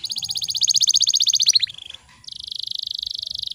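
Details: Training song of a canary meant to trigger singing in stalled birds: a fast, accelerating high trill, a short drop and brief pause, then a dense buzzy roll.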